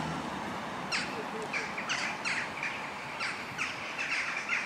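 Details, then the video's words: A large flock of western jackdaws (Corvus monedula) flies at sunset on 11 October 2015 over Bokkefort park, The Hague, Netherlands, before roosting in trees near Houtwijk shopping centre, giving short, sharp overlapping "tchak" calls, several per second, over a steady hiss. "Western jackdaw (Corvus monedula) flying in large number at sunset"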